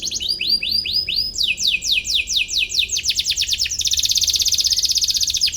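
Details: A canary sings to find a rival, a recording meant for training young birds: bouncy high notes, then quick descending sweeps, ending in a very rapid buzzing high trill.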